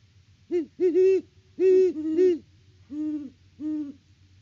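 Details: A great horned owl pair calls at the nest tree on a Kansas farm live cam, October 2023; two voices hoot together in overlapping bursts, followed by two lower, softer single hoots over faint background hum.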